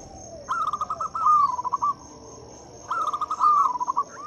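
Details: Local zebra dove lure recording for doves that are hard to get singing: two long stuttering coo phrases of pulsed notes, rising into a smoother trill and tailing off, high insect hum behind.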